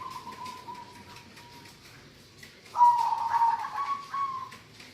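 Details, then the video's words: Local-type zebra dove voicing a drawn-out steady tone that fades, a pause, then a stronger sustained note with a faint wavering quality, against steady low background noise. "perkutut lokal suara gacorr"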